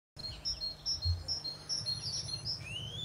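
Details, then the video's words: A great tit sings bright, high two-note phrases repeated about every 0.4 seconds, over a low background rumble, with a thin rising whistle at the end. "Great Tit Singing"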